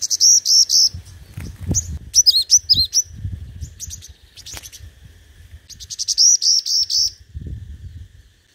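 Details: Five-coloured sunbird lure bird singing in competition: fast trills of high chirped notes, a burst of arched downslurred notes, then another rapid high trill, with some low rumble and clicks.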